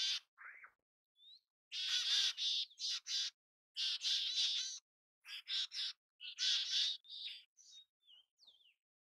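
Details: Mountain chickadee calling repeatedly: bursts of harsh, buzzy notes in clusters, separated by thin high whistled slurs, with quieter scratchy notes trailing off.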